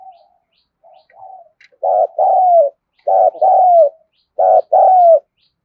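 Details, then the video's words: Spotted dove calling energetically to stir newly caught birds to coo. Faint soft notes lead into three loud phrases, each a brief husky coo and then a drawn-out, falling, mellow coo, evenly spaced in a quiet setting. "cu gáy thúc gù , Gáy Gọi cực sung mãn giúp những chú bổi nhanh nổi"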